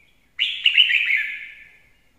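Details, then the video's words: Red-whiskered bulbul giving a clean, loud warbling phrase used as a lure song, a quick cluster of bright chirped notes trailing off over about a second and a half, otherwise quiet. "Chào mào hót hay - mồi chuẩn"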